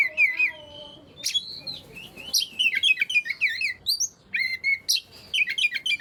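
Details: Song of an Oriental magpie-robin meant to stir quiet birds into singing: a long low whistled note, then quick varied warbling and high squeaks, fast and irregular.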